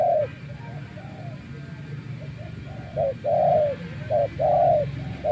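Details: Spotted dove, a decoy bird kept out in nature for many days, gives low, soft coos in short bursts and longer drawn notes, clustered in the second half over a faint rural hum.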